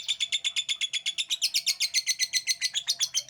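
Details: Lovebird ngekek: a steady, rhythmic stream of loud, rasping chatter notes, around four per second, shifting to a brighter, higher tone halfway through.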